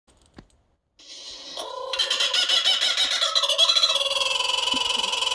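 A kookaburra's laughing call: low chuckles swell into a loud, raucous cackle of rapid, harsh, repeated notes, about three a second, rising in intensity.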